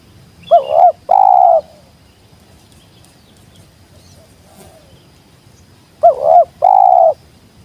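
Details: Two phrases from a wild spotted dove, roughly five seconds apart, each a quick undulating coo then a sustained mellow coo; faint rustling fills the gap between them.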